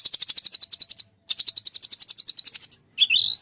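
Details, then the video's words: White-rumped shama in rapid 'tembakan' delivery: two long strings of fast, regular sharp notes, then a loud rising whistled sweep. "kicau murai batu gacor full tembakan"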